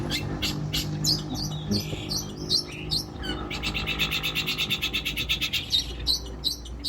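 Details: Cendet, or long-tailed shrike, singing a mimicry-rich training song said to include lovebird, canary and other borrowed calls: scattered sharp chirps and whistles, then a fast, even rattle of high scratchy notes, with low background hum.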